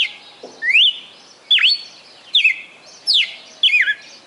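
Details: Red-cowled cardinal, a kept bird from Fortaleza, Ceará, Brazil, singing its prized 'perfect song' of over 20 notes: loud clear whistled phrases, rising and falling slurs repeated about once a second against a quiet background.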